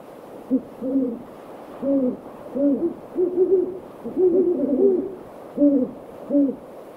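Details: Several great horned owls in a backyard one evening, their deep hoots overlapping in bursts, some calls stacked in a quick stuttering series, others single and spaced, with a steady low background hiss.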